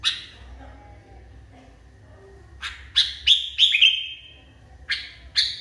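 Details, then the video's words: Agitated Sooty-headed Bulbul giving sharp, bright chirps after a quiet start, each clipped note trailing into a short falling whistle, then grouped in quick bursts of two and three. "KUTILANG NGAMUK PARAH"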